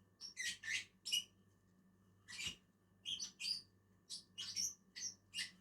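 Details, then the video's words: Shrill, squeaky chirps from two Agapornis lovebirds eating in a tree, irregular single and doubled notes, with a low hum and one soft knock. "two inseparable Agapornis eating on a tree"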